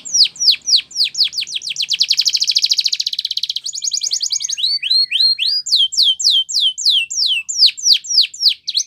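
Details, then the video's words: Spanish Timbrado canary singing a champion training song: swooping downslurred notes, a dense rolling trill, then slower, looping whistled phrases with varied rising and falling sweeps, clean and loud. "Canary Training Champion Song"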